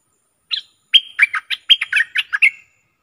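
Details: A bulbul (merbah) recorded 24 October 2021 in Thailand sings a quick, bubbly phrase of clear whistles, one note then a tumbling run of about eight, rising and falling in pitch.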